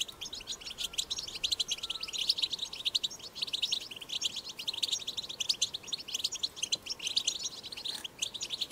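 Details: European goldfinch pouring out a wild 'batbata' song used to stimulate goldfinches to sing; unbroken, very rapid high twittering and trilled chirps throughout.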